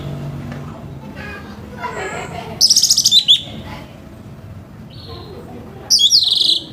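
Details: Harsh-voiced morning song of an orange-headed thrush, used to coax other birds into singing: a dense burst of rasping, sliding notes, a quiet stretch, then a second short run of scratchy whistles.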